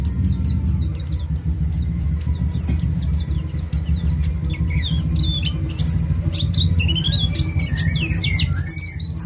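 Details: Singing white-eye of the East Java ngalas type, meant as a lure for other birds: rapid series of short high ticking notes, later turning into varied fast twitters and slurred whistles, with constant low engine-like rumble.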